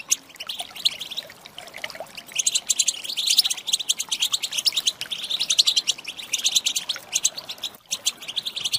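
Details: Female European goldfinch calling to prompt males into song: scattered chirps building into dense, rapid bright twittering that runs almost unbroken, with one brief gap near the end.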